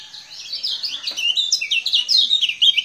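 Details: Lemon-bellied white-eye from Lombok singing busily: a dense, rapid stream of high, sweet twittering and chirped notes, rising and falling slurs packed together without pause.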